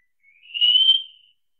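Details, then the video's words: A single high, clear whistle from a wallcreeper, gently rising then held steady for about a second before fading away, in silence. "Голоса птиц Как поёт Стенолаз"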